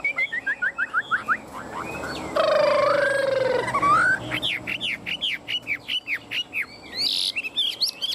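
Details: A caged Chinese hwamei on the afternoon of 27 June sings nonstop and bobs after its cover is removed: loud, rich phrases of quick rising whistles about twice a second, with a long sweeping warbled phrase midway.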